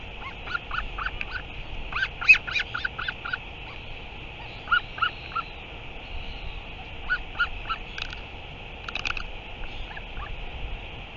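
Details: A northern royal albatross (Diomedea sanfordi), recorded 9 September 2023, gives harsh, honking, goose-like calls in irregular bursts of short notes over steady wind or background hiss.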